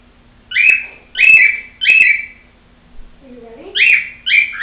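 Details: Pet female cockatiel giving a series of loud, clear whistled notes, each sliding down in pitch, repeated roughly every half second in two bursts, with a soft low human voice between them.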